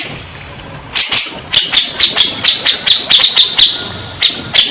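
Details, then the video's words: Grey-cheeked bulbul, played as therapy to get stressed or silent birds singing: sharp, high clicking notes in an uneven series of about fifteen over four seconds, after a quiet first second. "Terapi burung cak jenggot bahan / macet bunyi , setres pasti bakalan nyaut"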